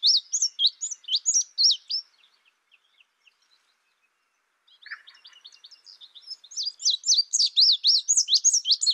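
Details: Indigo bunting giving a high, fast run of sharp slurred chirps, a pause of a few seconds with faint ticks, then a louder, quicker burst of repeated down-up notes.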